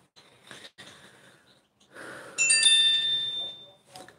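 Soft rustling and handling noises, then a single clear metallic ring like a small bell or chime lasting about a second, with no animal voice.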